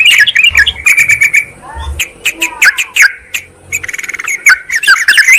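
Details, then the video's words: Sooty-headed bulbul calling to a rival as a lure, quick liquid chirps and whistled notes in uneven bursts, including a fast run of short ticking notes near the end. "suara pikat burung trucukan PALING AMPUH TERBARU/Trucukan memanggil lawan-vol 8"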